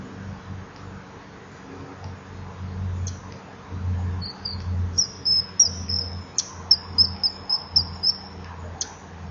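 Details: Juvenile common kingfisher at a nest-wall tunnel at 20:44, 23 July 2015, begging for fish as a male repels it; a series of about eight thin, high, piercing whistles in quick succession over a low rumbling hum.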